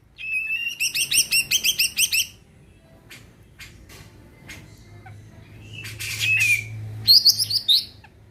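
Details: Greater green leafbird, a caged songbird kept to make other birds sing, starting with a rapid rhythmic run of rasping notes, then quiet ticks, a falling whistle and a final buzzy chatter.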